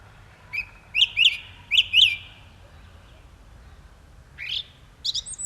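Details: Song thrush singing: a bright, clear whistled phrase given twice, then a similar twin phrase repeated, followed after a pause by a rising note and a short high whistle. Faint low background rumble.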